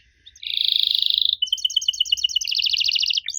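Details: Young canaries are meant to answer this canary song: a dense buzzy roll, then a rapid series of clipped twin-toned notes and a fast rattling trill ending in a rising whistle.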